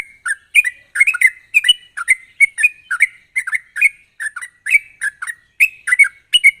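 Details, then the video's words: Sooty-headed bulbul singing vigorously in sharp rapid style, meant to lure untrained birds into song: steady stream of bubbly, rising-and-falling chirped phrases, several per second, without pause. "pancingan burung trucuk gacor ropel tajam ini ampuh buat memancing trucuk bahan agar cepat bunyi"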